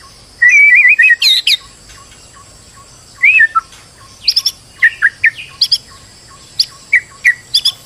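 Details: Stressed white-rumped shama used as a singing lure: a wavering whistled phrase with a high flourish, then separated bursts of sharp, varied chirps and whistles spread over several seconds.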